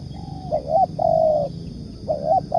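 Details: Tekukur, or spotted dove, used as a trapping lure: soft hooting notes lead into a rising double note, then a long steady coo, repeated once more. Low background rumble.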